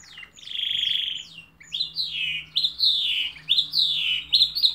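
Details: Canary singing: a long warbled phrase followed by a run of quick rising-and-falling whistled notes, bright and high, with a faint low hum beneath.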